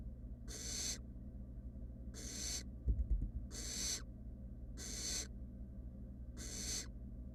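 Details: Wild barn owl nestlings, three in a monitored nest box, give five rasping hisses at regular intervals of about 1.5 seconds, with a brief clatter of movement near the middle.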